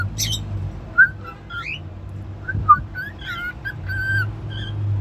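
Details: Pet cockatiel whistling indoors: a few short, clear whistled notes, some sliding upward, scattered over a steady low hum.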